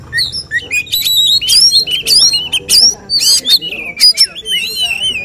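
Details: Oriental magpie-robin at a songbird contest, singing the 'tembakan' bursts judges look for: a dense run of sharp rising and falling whistles mixed with harsh scratchy notes, delivered in quick, irregular phrases over low crowd murmur.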